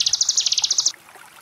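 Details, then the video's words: Brief burst of Sunda bush warbler ngebren song from a tutor recording for cage birds: a quick series of about fourteen high buzzy notes lasting under a second, then only faint background hiss. "Cigun Ngebren Gelombang Tawon Jeda || Masteran Ciblek Gunung 30 Menit"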